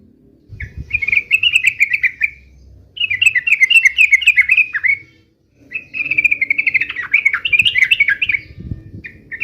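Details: Fighting song of a yellow-vented bulbul, intended to draw instant replies from other birds: three long phrases of rapid, rippling trilled chirps, each about two seconds, separated by short pauses, with faint low knocks.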